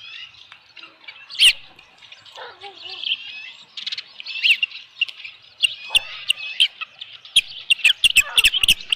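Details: Ospreys at a nest as a large headless fish is delivered, 15 July 2018 at 7:55 PM: high, thin, whistled chirps, first scattered and then running together more densely, with a few sharp ticks near the end.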